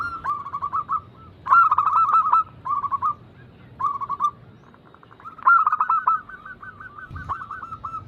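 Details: Zebra doves, kept birds, in a recording used to prompt reluctant birds to sing; bursts of rapid, staccato cooing notes at mid pitch, delivered in short clusters separated by brief pauses, with overlapping voices.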